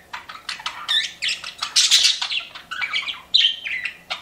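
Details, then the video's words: Cute pet budgerigars chirping: lively, scratchy warbling and squeaky chirps in quick succession, bursts of buzzy high notes with short gaps between phrases. "CUTE PET BUDGIES CHIRPING"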